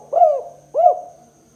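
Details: Spotted dove in the kuk 2 calling style, used as a lure for trapping other spotted doves: two short, mellow, arched coos about half a second apart, over a faint steady hum.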